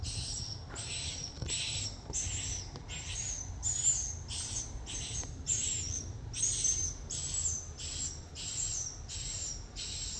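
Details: Swiftlets give a steady series of short, raspy high-pitched chirps, about thirteen in ten seconds, over a faint low hum.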